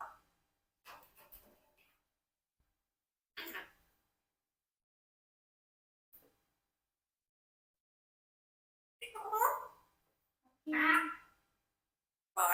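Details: A 4-year-old Congo African Grey parrot tries to say "apple" but gets interrupted. It speaks in short, word-like bursts: a few soft murmurs, then two louder, voice-like phrases close together near the end.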